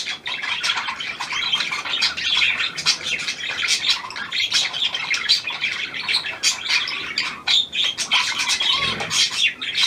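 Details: Budgerigar of the Australian pied variety, hand-tame and newly arrived, 17 February 2023; long run of rapid clicking chirps and raspy warbles, the level rising and dipping but never stopping.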